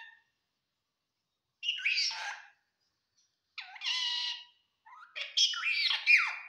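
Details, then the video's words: Parrot talking in Assamese, its trained phrases including hello, অ কাকা and কি কৰিছা; three harsh, speech-like utterances with squawky tone, separated by pauses of about a second, the last longest and most varied. "assames talking parrot🦜/ hello / অ কাকা / কি কৰিছা /"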